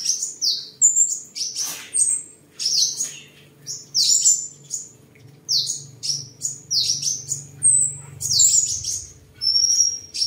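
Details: A captive seven-colour sunbird, recorded 23 July 2022 while singing, displaying and fighting, gives quick bursts of very high, thin, sharply falling notes and chips every second or so over a faint low hum.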